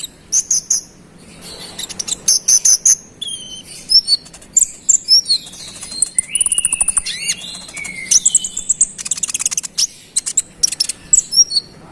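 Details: A konin (scarlet-headed flowerpecker) in a long gacor rolling song aimed at angering rival birds: rapid high ticks, sharp chips and thin falling whistles strung together almost without pause.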